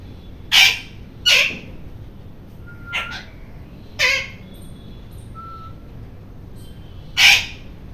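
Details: Loud rose-ringed parakeet screaming in harsh, raspy bursts, five screeches over eight seconds, two close together at the start, with thin level whistled notes in the gaps.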